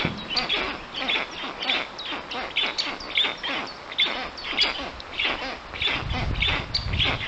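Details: Black stork nest in Puszcza Notecka forest, Poland, afternoon of 13 June 2019, with a strange adult visiting the chicks: a long run of quick, scratchy, wheezing calls at a steady rate, and faint low background noise.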